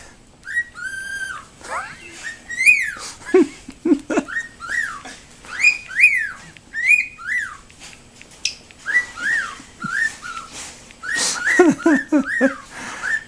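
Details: An angry pet cockatiel, charging at someone waving a graduation gown, gives loud rising-and-falling whistled calls with harsh harmonic chirps in agitated bursts.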